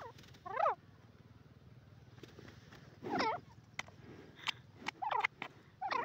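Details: Grey francolin calling: loud, harsh notes that bend up and down, given in irregular bursts with short pauses. A low steady hum runs underneath.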